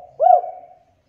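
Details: A single spotted dove coo, used to stimulate birds to call quickly: one hollow, slightly rising then falling note lasting about half a second, with a faint trailing tail and near silence after.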